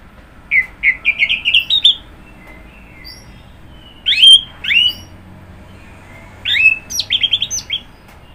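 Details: Orange-headed thrush delivering a rapid series of rising whistled notes, then two sharp downslurred whistles, then another fast, stepped run of clear notes, each phrase separated by about two seconds of quiet.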